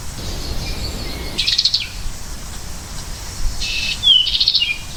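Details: American goldfinch giving two buzzy twittering bursts a couple of seconds apart, the second led by a crisp downslurred whistle, over a low background rumble.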